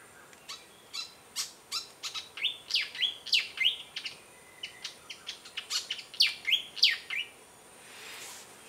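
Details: Malaysian pied fantail singing from a perch at Lung Sin waterhole, Kaeng Krachan National Park, Thailand: sharp high ticks build into a lively run of squeaky downslurred whistles, then fade to a quiet pause.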